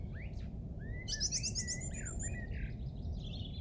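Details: Recorded at a golf course in England, Easter Saturday 2007: a rising whistle, a rapid high trilled burst, then scattered slurred notes and twitters, set against a loud low-frequency background rumble.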